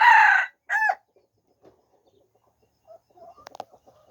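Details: Two loud harsh crow notes from a red junglefowl open this 13 September 2021 recording, then near silence with faint clicks and a few small sharp sounds.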